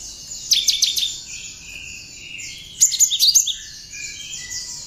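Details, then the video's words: Cinereous tit (gelatik batu, wingko) song with bar-winged prinia (ciblek) notes mixed in, used as tutor material for songbirds: two short bursts of sharp, high, rapid chirping notes about two seconds apart over constant high twittering. "Kicau Burung gelatik batu (Wingko) isian ciblek cocok buat bahan masteran"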